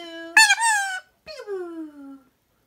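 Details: Talking pet parrot during a peekaboo game, giving two nasal, speech-like drawn-out phrases, the second sliding downward in pitch.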